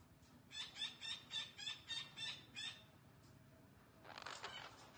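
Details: Green parrot talking sounds: a series of about eight rhythmic, moderately loud raspy notes repeated roughly three times per second, followed by silence and a final broad, hoarse burst against steady background noise.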